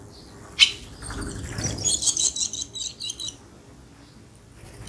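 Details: Barn swallows at feeding time give a sharp high note, then a burst of rapid, high, buzzy twittering for about a second and a half, with soft wing flutters and low rumble.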